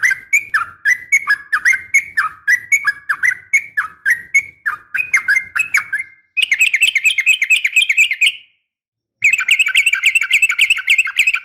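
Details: Fighting call of a female yellow-vented bulbul calling males: a run of rhythmic slurred whistled notes, then two bursts of faster, higher buzzy chatter separated by a short silence.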